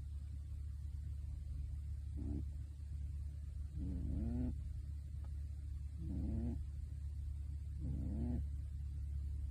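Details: Sleeping pet pigeon in a bird suit, which murmurs low as if talking when drowsy, gives four soft, low, buzzing snore-like grumbles spaced roughly two seconds apart, with a constant low hum throughout.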